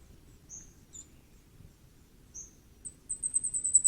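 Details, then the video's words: Common firecrest: scattered faint high chips, then a rapid, rising series of thin, very high notes that builds in loudness at the end. "火冠戴菊的叫聲/Sound of Common Firecrest"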